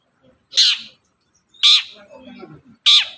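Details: Long-tailed shrike giving loud, rasping single notes about once a second, played as a lure to make a quiet shrike sing; faint low murmuring between the notes.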